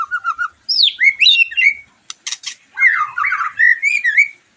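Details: White-rumped shama singing, a recording meant to excite a bird after its moult: low fluting notes, swooping high whistles, a short buzzy rattle, then a rich tumbling warble of twisting phrases.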